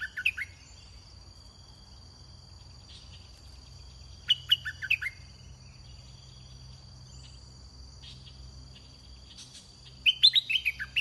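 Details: Red-whiskered bulbul singing during bird luring with a caged decoy: three short whistled phrases of five or six quick, bright notes, jumping and dropping in pitch, spaced several seconds apart, over a steady high electrical whine and low hum.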